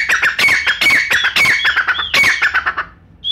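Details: Brown francolin of Pakistan, recorded for hunters. Rapid harsh, squawky syllables in quick succession, broken by rising whistled notes, then a pause and one final high clear note.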